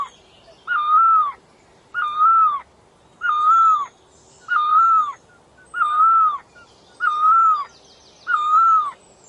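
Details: Bird known as puj daum, nok tong lo, calling in a slow regular series: seven smooth, slightly arched hoots, each about half a second long, separated by short pauses in a quiet setting.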